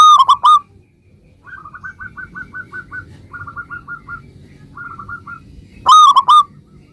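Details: Local Indonesian zebra dove (perkutut lokal) in lively gacor song, used to draw other zebra doves into answering: loud bursts of hollow coos open and close the clip, with fainter rapid runs of short coos between them.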